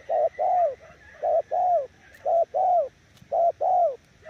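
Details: Spotted dove cooing rhythmically, with four clear pairs of a clipped note followed by a longer downward-curving coo, each about one second apart. A faint high tone is in the background.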